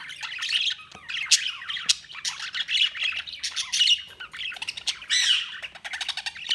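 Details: Lively budgie chirping: continuous quick clicks, squeaks and buzzy twitters from more than one bird, with sharp ticks scattered through the chatter.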